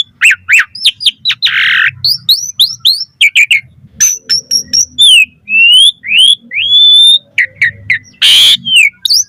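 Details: Busy varied song of an Asian pied starling, played to attract other starlings: rapid chirps, rising and falling whistles, rasping bursts, and a harsh noisy note near the end.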